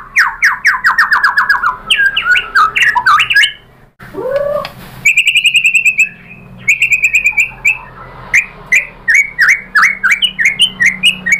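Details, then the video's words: White-rumped shama lure song meant to provoke other birds into singing: fast runs of sharp descending whistled notes, then a brief pause, then bright high chips repeated in quick rhythmic bursts. "PANCINGAN MURAI BATU bikin NYAUT BUNYI GACOR NGEPLONG BONGKAR ISIAN"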